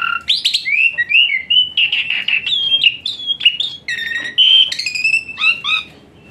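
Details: Lavish fill-in song of an Asian pied starling, 'tembakan panas' style for lazy-singing birds: mixed whistles, rasping notes and bright slurs tumbling together, the phrases thinning out and fading at the end.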